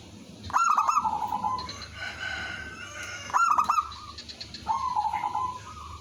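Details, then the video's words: Village zebra dove singing lustily as a decoy to bring other doves to answer. Three cooing phrases, each with a sharp stuttered start and a mellow rolling trill, separated by quieter pauses. "suara merbok kampung/perkutut lokal gacor manggung jadi pikat pancingan semua jadi nyaut"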